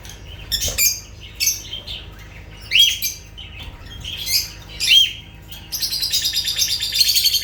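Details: Lovebird chirps come as high arched notes spaced about every second, ending in a rapid buzzy chattering trill.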